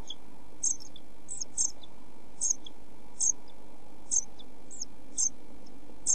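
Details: European pied flycatcher chicks in a nest box during heat and food shortage, 27 June 2013, uttering brief high piping notes roughly once a second over a constant low electrical hum.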